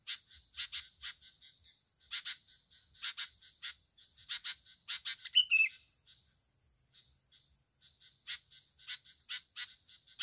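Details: Sooty-headed bulbul from Bình Thuận, Vietnam, leading others to fight over territory at a roosting spot. Sharp, bright chirping notes come in quick clusters and short bursts, with one brief slurred whistle near the middle and pauses between volleys.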